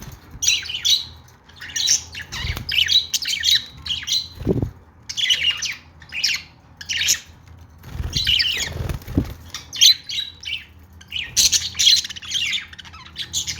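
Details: Budgies kept as pets chatter in bursts of harsh squawks and quick chirps, with brief pauses and a few dull thuds in between over a low background hum.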